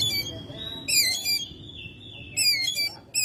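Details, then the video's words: Oriental magpie-robin kept at home, singing busily in May: a long, steady whistled note threaded between loud, buzzy, scratchy bursts, against low background hum. "Burung Kacer gacor rumahan"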